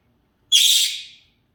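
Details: A single harsh, raspy Senegal parrot squawk at dinner time. It starts abruptly, holds briefly and trails off in well under a second, with near silence around it.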